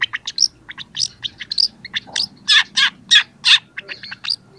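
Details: Young long-tailed shrike singing loudly, used as training material for other birds: a busy string of short harsh chattering notes and buzzy rasps, with louder grating notes about every third of a second.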